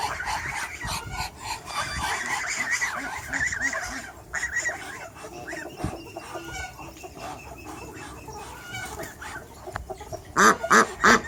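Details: Backyard chickens of several breeds on a farm with over 100 animals: steady overlapping clucking and murmuring from the flock, ending in a burst of loud, sharp clucks close by.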